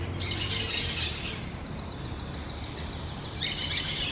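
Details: A pair of parrots in low forest with large trees: a long burst of grating, noisy calls with shrill upper tones, a pause, then another harsh outburst, against constant natural background noise.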